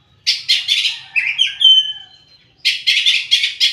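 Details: Oriental magpie-robin singing: bursts of dense, buzzy chattering notes, then a run of clear whistled and slurred tones, a short pause, and another series of rapid scratchy chatter phrases.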